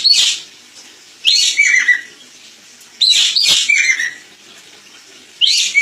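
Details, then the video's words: Crested jay (ekek keling) song used as a master recording for training other birds: loud harsh bursts with falling whistled notes, phrases repeated roughly every two seconds with quiet gaps between. "Masteran burung ekek keling"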